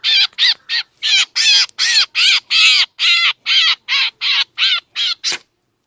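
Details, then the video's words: Black drongo calls played as a lure for bird trapping in Laos or Isan, Thailand: about fourteen harsh, grating, noisy squawks in quick succession, roughly two and a half per second, ending with a short sharp click. "ສຽງຕໍ່ນົກແຊວ ນົກອ້ຽງຂາວກະເຂົ້າ || เสียงล่อนกแซงแซว เข้าฮอดนกเอี้ยง"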